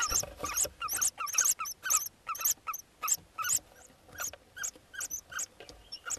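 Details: Hoopoe chicks handled for ringing in Hungary, mid-June 2024, close to fledging: sharp, raspy high squeals repeated roughly twice a second in uneven bursts, fading to softer calls near the end.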